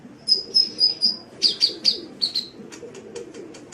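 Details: High sunbird song from a tutor recording: an evenly spaced run of piercing short whistles, about four per second, then softer fading ticks and chirps.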